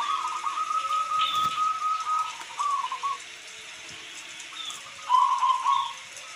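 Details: Local zebra dove singing a long, evenly rolling run of coo notes, then shorter stuttered phrases and a final loud bubbling burst, with steady rain throughout.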